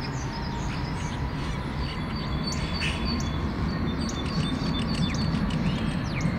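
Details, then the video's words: Starling in the evening, perched on a branch with its flock, stretching and chatting: short thin whistles and scattered clicks, lightly spaced, over a steady low rumbling background. "evening starling – stretching and chatting with friends"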